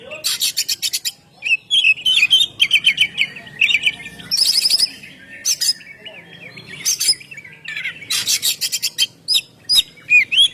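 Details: Oriental magpie-robin, known locally as kacer, singing the ngeplong style meant to lure birds and make them sing: dense medley of sharp chirps, rattling buzzes and wavering whistled runs, near-continuous bursts throughout.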